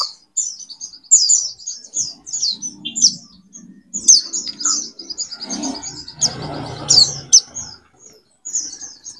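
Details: Two male white-eyes (pleci) hung close together in cages, trading thin, high chirps and short twittering bursts almost nonstop. Their 'nguntul' display is taken as a sign they are compatible. Low handling noise and rustling come in midway.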